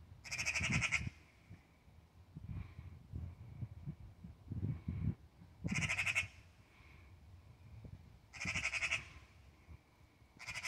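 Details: Angry Eurasian magpie persistently scolding a cat: bursts of harsh, rasping chatter about a second long, three main bursts plus softer rattles between, over low rumbling background noise.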